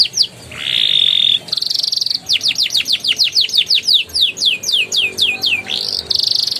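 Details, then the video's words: Canary song meant to prompt young canaries into ngeriwik and ngeroll singing: a sharp high note, a steady buzzy trill, then a long run of rapid falling whistled sweeps repeated about four times a second, ending in another buzzy trill. "PANCINGAN KENARI PAUD NGERIWIK NGEROLL GACOR EMOSI EFEKTIF UNTUK TERAPI KENARI MACET BUNYI"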